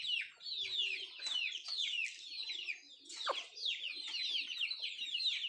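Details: Chickens of the country breed feeding: overlapping shrill peeps that drop in pitch, coming in clustered bursts with short lulls between, and a soft knock partway through.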